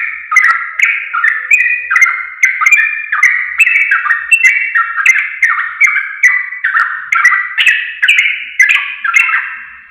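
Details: Sooty-headed bulbul (trucuk), a recording used to train caged birds to sing: a steady, unbroken run of short bubbly slurred whistles, about two or three notes a second, with bright clicks on top and no other sounds.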